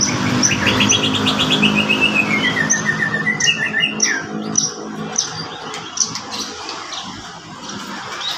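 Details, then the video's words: Horsfield's bush lark in lively song: it opens with a rapid descending run of bright whistled notes, then gives scattered sharp high chirps and twitters, with a faint low hum underneath. "beranjngan varpa gacor"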